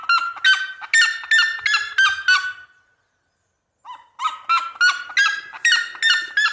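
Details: Red-legged seriema calling in rural land, rapid harsh yelps tailing off into a second of silence, then a fresh round of loud, repeated barking notes building again.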